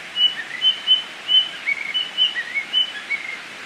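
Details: A wild tledekan flycatcher in Indonesia delivers a quick run of brief high whistles alternating with slightly lower upslurred notes, roughly three per second, over background hiss.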